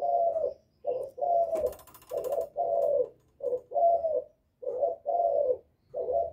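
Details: Spotted dove giving a provoking call meant to draw out rival males, sung in the Vietnamese 'giọng thổ' style; deep soft coos in short-long pairs, repeated over and over, with a brief crackling noise early on.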